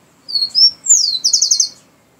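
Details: Rufous-collared sparrow, called chingolo or tico-tico, singing: two high clear whistled notes, a falling slurred whistle, then a fast buzzy trill of about eight even notes, all within two seconds in a quiet setting.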